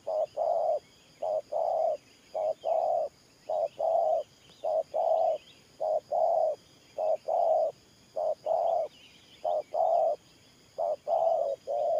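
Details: Long, steady run of spotted dove gù cooing from a trapping decoy, thổ pha nước voice: about a dozen low paired hoots, each a clipped note then a fuller coo, with faint bird chatter behind.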